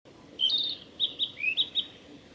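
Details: A male Narcissus flycatcher on a forest road at Hyuga, Japan, on 1 May 2021, sings a short, clear phrase of bright whistled notes, some rising, repeated briskly over two seconds; faint background hiss.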